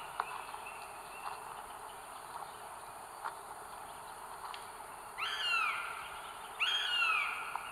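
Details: Northern goshawk at the nest with three eggs, North Estonia, 30 April 2022, live nest camera: after several seconds of faint ticks and hiss, two arched, drawn-out wailing calls close together.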